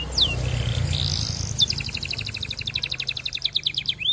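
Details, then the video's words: Canary singing to court a female, used as a lure to get other canaries singing a long roll: a whistled downslur, a steady high note, then a fast rattling trill of rapid repeated notes, with low background hum. "Kenari Gacor Panjang MERAYU BETINA Cocok Buat Pancingan Semua Jenis Kenari Biar Ikut GACOR NGEROLL"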